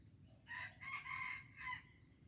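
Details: More distant junglefowl crow in Aceh on 25 April 2020, four hoarse bursts softened by range and partly masked by steady forest background noise and high insect or bird sounds.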